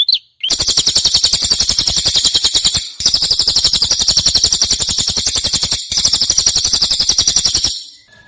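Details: Cililin-style prinia song, a clear master recording for training songbirds: long, loud, buzzy rattling trills of very rapid ticking notes, three bursts broken by brief pauses.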